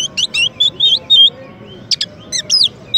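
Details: Champion Oriental magpie-robin, meant as a master and teaser song for white-rumped shamas, delivers loud clipped chirps and short whistled slurs in quick groups, a brief pause, then more sharp buzzy notes.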